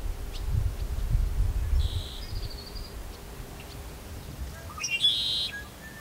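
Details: A male Red-winged Blackbird foraging in shallow water at Ozette Lake, Olympic National Park, on a misty late-May 2023 morning gives a few thin, high notes, then a brief bright, buzzy burst, over low wind rumble. Finding: Red-winged Blackbird.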